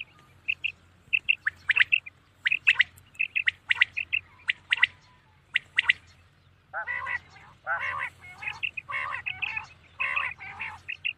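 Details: Common quail calling at night in short, clear, high notes grouped in quick twos and threes, then harsher, rasping squawks in the second half.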